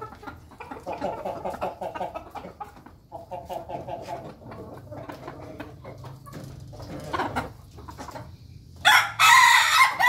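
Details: Ayam Ketawa chickens, a flock feeding together in a coop, giving a run of short repeated clucking notes at a busy, uneven pace, with scratching and pecking noises, then a burst of loud broadband rustling at the end.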